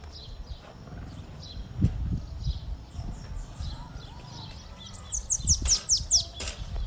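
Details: Bananaquit in full song: a high, hurried string of thin, buzzy downslurred notes building to a bright trill near the end, with soft fainter notes earlier and low background rumble.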